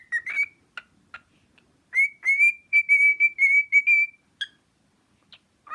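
A cockatiel gives a run of clear, high whistled notes, strung together like a short tune.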